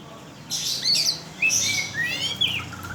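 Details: Oriental magpie-robin lure song meant to provoke rival birds, a short burst of bright whistled slurs with rising and falling sweeps and scratchy notes, separated by brief pauses.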